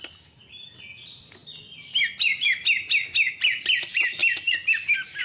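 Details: Greater green leafbird song used as a lure to trigger other birds' singing: a soft warbled opening, then a regular series of bright, slurred whistled notes, about two per second.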